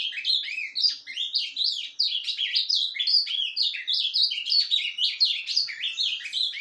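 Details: Ultramarine grosbeak delivering quiet surdina song on 10 January 2023, a long, even run of rapid chirps, trills and short whistled slurs tumbling up and down in pitch.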